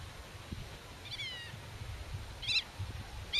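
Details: Black-tailed godwit (Limosa limosa) defending its nest and territory against intruders, also talking to young hidden in the grass, gives nasal, ringing alarm calls: one drawn-out, slightly falling cry, then short sharp notes about a second apart, over low wind rumble.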